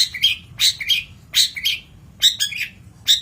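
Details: Long-tailed shrike song for training birds: sharp, scratchy notes with brief whistled tips, delivered in quick doublets, about ten notes in three seconds, against quiet low background noise.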